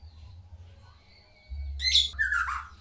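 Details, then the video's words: Full song of a Medan-variety white-rumped shama: faint thin sustained whistles, then a loud harsh burst of high buzzy notes followed by a rich descending warbled phrase. "suara muraibatu Medan full isian"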